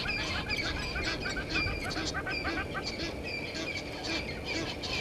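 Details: Egyptian geese quarrelling with intruder geese at a dam on Djuma Game Reserve, Sabi Sand, South Africa, 17:08 on 10/04/21; a continuous chatter of rapid, faint, overlapping honks sits under broad background noise.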